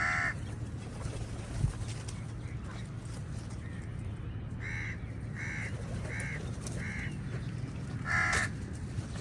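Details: Crowd of crows contesting food with eagles; a harsh caw opens, then a run of four shorter caws and a final loud caw, against constant low background noise.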